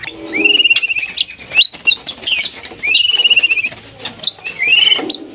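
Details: Singing white-rumped shama in breeding condition, calling a rival: long, wavering whistled phrases that rise at the end, repeated several times over a faint rustling background.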